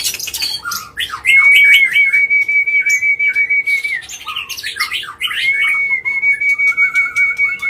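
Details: Agitated white-rumped shama singing non-stop to provoke other birds: dense, varied phrases with long level whistles held near one pitch, mixed with quick chips and rough notes, and a faint steady hum beneath.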